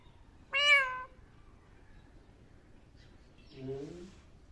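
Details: Indian ringneck rose-ringed parakeet mimicking voices utters one sharp, high meow-like call, then after a pause a lower, softer, voice-like sliding sound in a quiet room.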